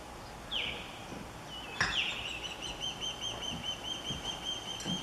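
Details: Stressed female osprey calling at the nest as an intruder osprey hangs around in the afternoon; two sharp descending whistled calls, the second loud, over a continuous high insect drone and outdoor background noise.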